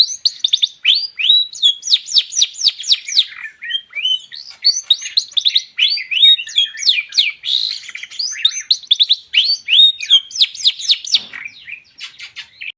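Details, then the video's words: Long-tailed shrike in energetic song, used as a lure to prompt other birds to sing: fast, continuous run of sharp downslurred chips and squeaky whistles, packed into rapid repeated bursts with scarcely a pause throughout. "CENDET GACOR COCOK UNTUK PANCINGAN"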